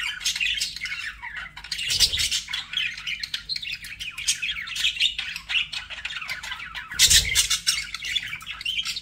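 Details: Several pet budgerigars warbling and chirping nonstop, rapid scratchy notes layered together, with two brief low thuds around the second and seventh seconds.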